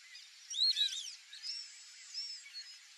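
Brazilian teal giving high, thin whistled notes, several slurring up and down in quick overlapping bursts, then softer scattered whistles over a faint background hiss.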